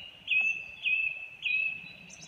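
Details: A song thrush sings, repeating a clear, high whistled note three times, about every half second, over a soft background hiss.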